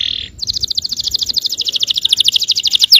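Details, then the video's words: Brief buzz, then an even, very fast series of clipped high notes, about ten per second, from a yellow canary whose song is used to get other canaries singing. "suara kenari kuning bon yang sangat efektif memancing emosi.. belum ada 10 detik pasti nyaut gacor!!"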